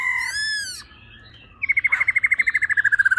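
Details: Female laughingthrush making its 'ro ro' sound meant to excite males quickly: a bright, slightly falling whistled note, a pause, then a fast even series of pulsed notes that slowly drops in pitch.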